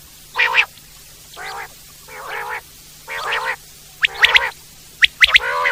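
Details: Common quail in the wild: a series of rasping, nasal mewing bursts about a second apart, ending with crisp, rapid triple whistled notes.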